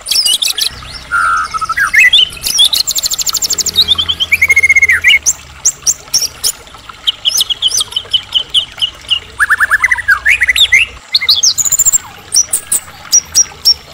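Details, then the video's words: Medan white-rumped shama singing hard, a song used to spur other shamas to answer; varied whistles, fast trills and sharp repeated high notes, with a steady low hum underneath. "murai batu gacor AMPUH buat PANCINGAN murai agar cepat bunyi"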